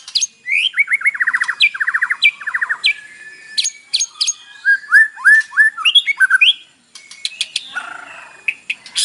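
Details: White-rumped shama singing a morning lure song rich in mimicked fill-ins, used to provoke a captive bird to sing: fast runs of buzzy trilled notes, then sweeping whistled slurs and sharp high chips in quick succession.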